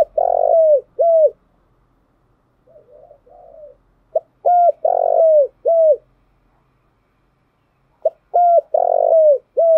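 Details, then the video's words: Lure song of a spotted dove for exciting decoy birds. Strong phrases of a brief opening note, then level and grainy drawn-out coos ending in a dropping note, three times, split by a quiet rough murmur. "tiếng cu gáy thúc bổi căng lửa và gáy goi bao sung, Tiếng cu gáy mồi chuẩn"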